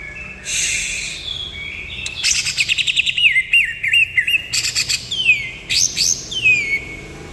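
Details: Cucak ijo, greater green leafbird, in 'nembak kapas tembak' style: a harsh opening burst, then a fast pulsed string of warbled notes, ending in two shrill downward-sweeping whistles.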